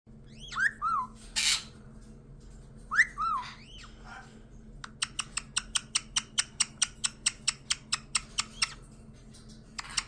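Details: Pet caique parrot, recently adopted, making cute sounds indoors: a few rising-and-falling whistled squeaks and a brief harsh burst, then a rapid run of about twenty sharp clicks.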